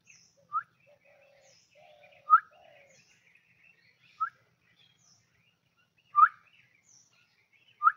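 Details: Pet common myna calling softly while its owner coaxes it to give a salaam greeting. Short, rising chirps come about every two seconds, with faint low warbling notes between them.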